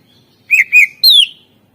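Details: Greater green leafbird isian master song, meant to coax quiet birds into singing: two short, rich chirps followed by a longer, higher note that slides downward.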